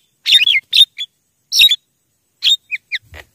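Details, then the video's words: Javan myna calls used as a lure for wild birds: harsh bursts mixed with short whistled slurred notes, in irregular groups separated by pauses. "suara JALAK KEBO PIKAT MP3 gacor... suara ampuh untuk pikat mp3 memanggil jalak liar"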